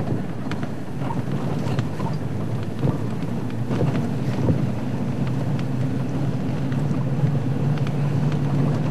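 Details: Heavy rain drumming and rolling thunder during a drive at sunset, with a low vehicle rumble and scattered raindrop hits, and no animal calls.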